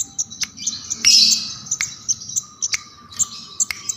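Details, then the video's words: Bar-winged prinia giving scattered high, sharp chirps and one short rough burst, sung in the 'keres' style used to teach and provoke songbirds, against a faint steady hum. "Kemade Keres Gacor"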